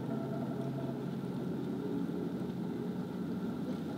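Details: Steady mechanical drone with a low hum running throughout, broad background noise and no animal voice.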